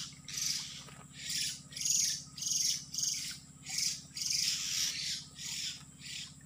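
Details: Oriental magpie-robin used as a trapping lure in an oil palm plantation: a series of harsh, rasping, hissy bursts repeated about every second, over a steady low electrical hum.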